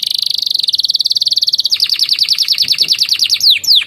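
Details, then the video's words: Canary in loud song with Javan tesia and bar-winged prinia phrases: a long, very fast, high rattling trill that shifts slightly higher midway and closes with two sharp falling whistles. "SUARA KENARI GACOR ISIAN CIBLEK PRENJAK"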